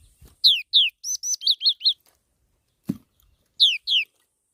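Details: Black-throated laughingthrush song of high, clear notes: two loud downslurred whistles, then a run of short peaked chirps, a soft thump, and two more falling whistles closing the phrase.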